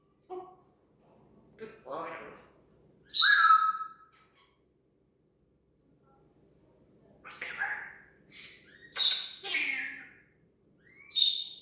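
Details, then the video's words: Talking African grey parrot mimicking sound effects: scattered bursts of squawky, rasping notes and a sharp downward-sliding whistle, with silent gaps between the sounds. "Parrot talks with hilarious sound effects"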